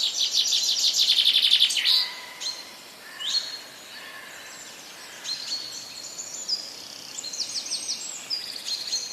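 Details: Wild birds singing outdoors: a loud buzzy high trill at the start, then scattered thin, sharp whistled notes and short chirps from several birds over a constant hiss of background noise.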